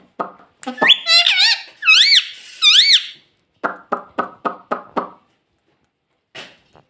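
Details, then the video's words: Talking pet parrot said to repeat "mummy"; a few clicks lead into wavy squeaky notes climbing and dipping, then a steady series of about six rapid rasping clicks and one later click. "talking parrot mummy mummy"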